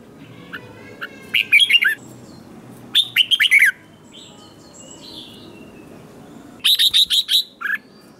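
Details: Red-whiskered bulbul competition singing meant to goad young wild-caught bulbuls into answering: three bursts of rapid, chirpy whistled notes with falling slurred endings, separated by a few faint softer calls.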